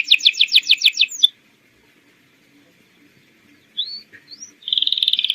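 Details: Domestic canary song used as a lure to train young birds to sing: a fast buzzy trill of repeated notes, a pause, then short rising whistles and a rapid high trill.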